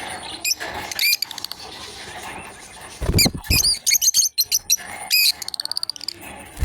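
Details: A pair of lovebirds at play: scattered shrill chirps early, then a dense cluster of rapid squeaky chirps and a quick stuttering series of short clicks toward the end, with some low thumps.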